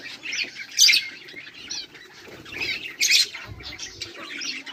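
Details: Budgies, 18 July 2023, with two loud bursts of sharp chirps amid softer high warbling chatter and occasional low thumps.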